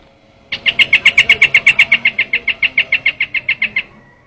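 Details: Rapid chattering lure call of a trao trảo bird: a single run of about twenty quick, harsh notes that fades slightly toward the end.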